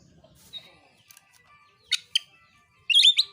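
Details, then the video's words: Oriental magpie-robin fighting song aimed at provoking other birds; mostly quiet with faint scattered notes, two sharp clicks, then a loud burst of rapid twisting whistles. "KICAUAN KACER NARUNG"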